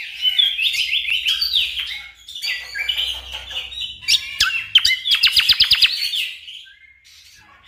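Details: Orange-spotted bulbul delivering continuous, tightly packed song for competition bird training: a rolling stream of wavering whistles, then a rapid burst of repeated sharp notes before it trails off quietly.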